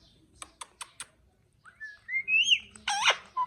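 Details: A parrot talking, saying "mito mito kaka": four sharp clicks, then a rising whistled glide, a harsh voice-like burst with stacked tones, and a short closing note.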